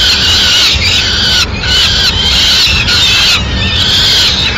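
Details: Peregrine falcon at its nest in Madrid, 6 May 2016, as the female brings a pigeon for breakfast: loud, harsh, drawn-out screeching calls in long bursts with brief breaks, over a low background rumble.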